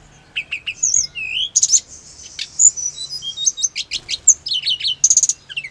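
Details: Hill blue flycatcher singing, used to make caged birds respond fast and heated: quick high twittering, a long sustained thin whistle with ornaments, then bursts of trilled notes.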